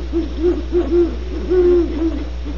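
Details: Great horned owls recorded at Starr Ranch in California, giving a quick series of short, deep hoots followed by a longer, level hoot and a final short note, with a constant low electrical hum underneath.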